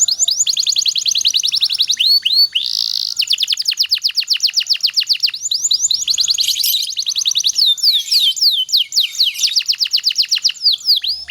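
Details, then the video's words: Long canary master song meant to train other canaries: fast falling whistled notes repeated in tight, dense series for over ten seconds, interrupted by brief buzzy bursts and chirps. "suara burung kenari Ini sangat ampuh buat masteran segala jenis burung kenari agar cepet gacor"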